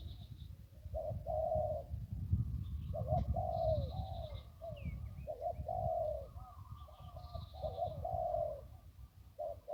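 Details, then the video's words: Zebra dove by the Ping River in Thailand repeating short burry coo phrases in quick succession over a steady low rumbling background, with occasional thin high bird notes. "นกคูอ่างเจ้าเสน่ห์ริมปิง ได้นกโล่ง 1กุกขันเพราะๆ"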